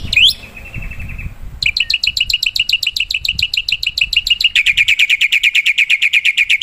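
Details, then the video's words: Wild black-winged myna in lively 'gacor' song for luring birds. It opens with a whistle and a dry rattle, then gives quick upswept chips. These end in a fast, even, bright chatter. "Suara burung jalak putih_gacor"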